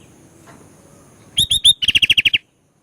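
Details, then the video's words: Sooty-headed bulbul in full song after a quiet pause: three rising clear whistles, then roughly nine quick clipped notes repeated at an even pace, ending abruptly. "BURUNG KUTILANG GACOR MUNTAIN ISIAN, COCOK UNTUK MANCING EMOSI...!!!"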